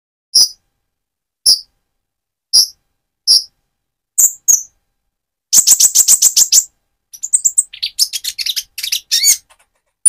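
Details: Van Hasselt's sunbird in speckled plumage turning metallic, singing hard to fire up another bird; evenly spaced single piercing chips about every second, then a fast rattling trill and a jumbled burst of high twitters.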